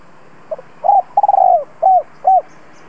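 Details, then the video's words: Spotted dove giving its lure call to draw in wild doves: low soft notes, a rapid stutter merging into a long descending coo, then two brief rounded coos. "Tiếng chim cu gáy gọi thúc bổi nhanh lên mồi"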